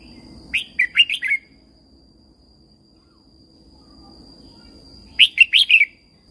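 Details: Red-whiskered bulbul song from Thailand, used to rouse and train caged birds: two quick phrases of four or five fluty, wavering notes slurring downward, about four and a half seconds apart.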